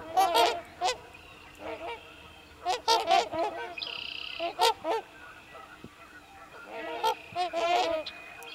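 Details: Several Trumpeter Swans on a Wisconsin wetland in spring, where family members gather, give loud, nasal, horn-like honks in irregular bursts of two to four notes, with a brief thin high tone partway through.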